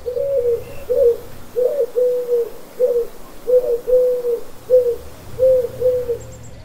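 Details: Eurasian Collared Dove repeating its three-note cooing song over and over, likened to a football chant of 'United': soft, hollow coos grouped in threes, the middle note longest.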